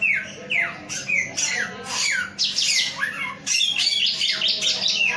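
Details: Lively song of a male samyong: repeated descending whistles mixed with harsh scratchy bursts, closing in fast rhythmic chatter, and a low constant hum behind.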